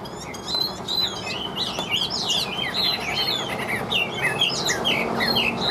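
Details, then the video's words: Chinese hwamei kept in a cage and sold as a songbird, pouring out fast varied whistles and slurred notes, rising and falling phrases packed closely together, with a faint steady hum behind. "Họa Mi Hót Như Máy, Điện Đóm Căng Ra Giọng Đều"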